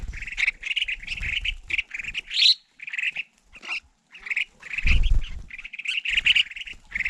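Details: Crested finchbills coming to a winter bird feeding: short chattering chirps repeated in clusters, one rising squeaky note, broken by brief pauses and heavy low thuds and bumps nearby.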